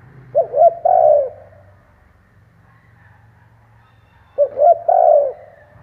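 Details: Decoy spotted dove cooing to lure wild doves, two phrases about four seconds apart, each a pair of short coos then a drawn-out mellow coo, low hum beneath.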